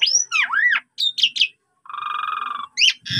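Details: Asian pied starling training song mixing looping whistled slurs, quick chirps and a steady nasal buzzing phrase, followed by sharp rising whistles.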